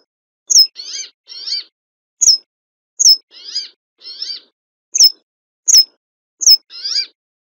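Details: A Brambling alternates crisp high falling notes with paired nasal, buzzy notes in a steady run of about ten sounds over seven seconds.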